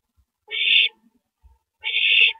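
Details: Owl at its nest on April 9, 2012, 9:14 PM, passing a rabbit to its mate after feeding; two harsh, hissing screeches about 0.4 seconds each, separated by roughly a second of quiet, with faint low thumps.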